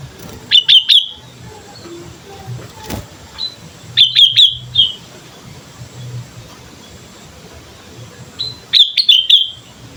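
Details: Lively sooty-headed bulbul song meant as a training lure: three short, bright phrases of rapid whistled notes about four seconds apart, with faint soft notes between them over low background rumble.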